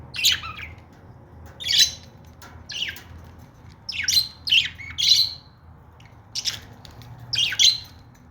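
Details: Pet budgies call with separate sharp, rasping chirps, each a quick downward squawk, spaced roughly every second, in a fairly quiet room.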